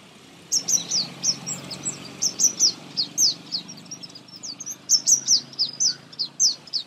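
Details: Baby birds at feeding time give steady, repeated high-pitched chirps, several each second, sharp and slightly descending, with only a brief softer stretch midway.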